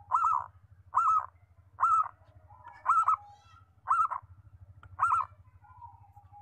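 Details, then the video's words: Zebra dove (perkutut) song: six arched, slightly wavering coo notes, evenly spaced about once per second, over a steady low rumbling hum throughout. "MACAM - MACAM BUNYI PERKUTUT"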